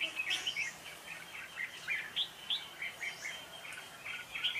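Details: Red-whiskered bulbul fighting-style song used as a decoy for trapping and training birds: short warbled, slurred notes repeated quickly, about three per second, somewhat distant, over a steady hiss of background noise.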